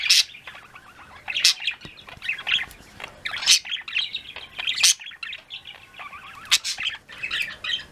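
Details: Afternoon budgie flock, many birds chirping and trilling at once: overlapping warbled chatter with sharp loud chirps roughly every one to two seconds, steady and lively throughout.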